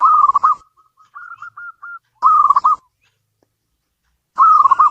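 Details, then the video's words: Zebra dove (local perkutut) singing in three short, dense rolling bursts about two seconds apart, with a few soft, thin coo notes in between. "Suara burung perkutut lokal"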